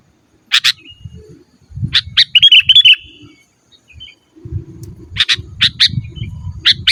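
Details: Chatty sooty-headed bulbul song meant to call rivals and train cage birds: sharp chips, a rapid rippling whistled trill, then a string of quick chips, over intermittent low rumbling noise.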